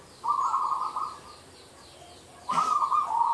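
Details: Zebra dove giving two bursts of quick, even cooing notes separated by about a second of silence. A brief rustle or click falls at the start of the second burst.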